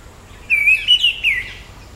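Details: One sustained, undulating whistled phrase from an Orange-headed thrush, wavering up and down for about a second, with faint high ticking above.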